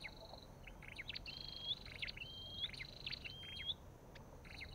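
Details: Olive-backed tailorbird: three thin rising whistles, each ending in an upturned flick, separated by short clicking bursts, with soft background noise.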